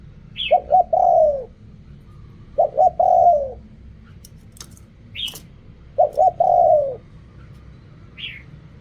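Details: Spotted dove cooing in the riak kham style: three phrases, each two clipped low notes and a longer falling coo. A brief high chirp sounds before each phrase. Occasional clicks over a low hum.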